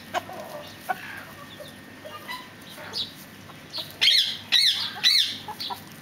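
Fireback pheasant giving scattered soft clucks, then three sharp, rising, chirping calls about half a second apart. A faint steady hum runs underneath.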